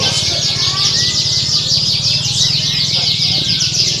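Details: Canaries singing in a bird contest, used as a contest simulation to train a bird's nerve; dense, high, fast trills and rattling phrases overlap without pause over a steady low hum.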